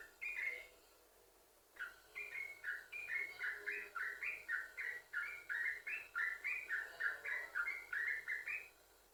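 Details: Yellow-vented bulbul song played to get other bulbuls singing: a brief opening phrase, a short pause, then a long fast chattering run of bubbly, up-and-down notes.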